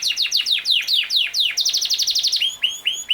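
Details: Yorkshire canary singing quick descending whistled sweeps, about seven a second, breaking into a rapid rattling trill and ending on bright, rising upslurred notes.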